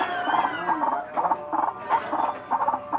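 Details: Odd-sounding white-breasted waterhen: clusters of gravelly croaks repeated about every half second over a steady tonal hum.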